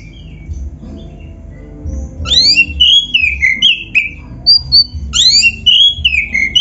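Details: Oriental magpie-robin of the black-breasted kind, a training song for other magpie-robins: soft opening notes give way to loud, fluty whistled phrases, each sweeping up then gliding down, with brief pauses between.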